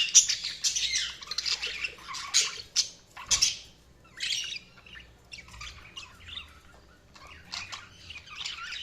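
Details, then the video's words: Budgerigar chirping in scattered bursts of scratchy warbling notes and sharp squeaks, separated by short quiet gaps, fading later. "Budgies Sounds| Budgies Chirping sound"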